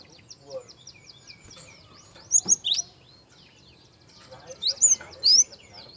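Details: Soft Java sparrow song for luring young birds into song. A thin, rapid stream of high ticking notes, punctuated by two loud bursts of sharp, piercing squeaks, then a third group near the end.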